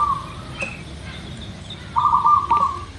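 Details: Local zebra dove lure song: a rolling coo trill at the start, a short high note from another bird, then a longer rippling trill phrase near the end over soft background hiss.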